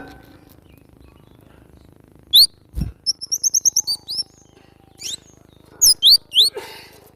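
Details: Cinereous tit song from a training recording for cage birds: a few sharp, high chirps, then a quick run of about eight paired, bright whistled notes, followed by scattered sharp upswept chirps after a pause.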